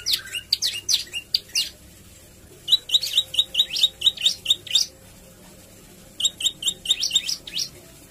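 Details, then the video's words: Olive-backed tailorbird singing loudly, used as a lure to prompt other tailorbirds to sing: varied phrases of quick bursts of high, clipped, sharp chirps repeated in runs of about two per second, with pauses between runs. "Prenjak Lumut Gacor Mainkan Variasi Lagu dan Tembakan"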